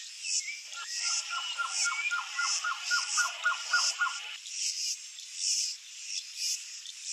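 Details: Blue-crowned trogon (Trogon curucui) song: a fast run of about twelve short, even, mid-pitched notes, then stops, over steady high insect buzzing and faint whistles of other birds.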